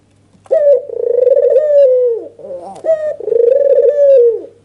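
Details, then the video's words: Red-eyed white (albino) dove in an agitated nodding display, calling to provoke other doves. A short clipped note leads into a long rolling coo that sags at the end. A brief higher note follows, then a second drawn-out coo. "Suara PANCINGAN burung PUTER PUTIH MATA MERAH full ngangguk EMOSI"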